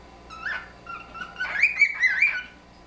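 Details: Friendly duet of two pet cockatiels, one bird's whistle overlapping the other's, a rising note then a run of bright chirpy wolf-whistle phrases, as they imitate and complete each other's phrases.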